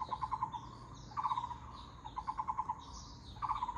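A Taiwan barbet gives short, rapid bursts of five or six low, hollow, knocking notes, about one burst a second, over a faint background hiss.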